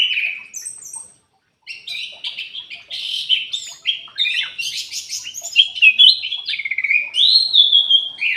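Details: Lure song of the kutilang emas bulbul for caged songbirds that will not sing. A high whistled phrase and a short pause lead into sustained, rich warbling with rapid trills, ending in a long, clear, descending whistle.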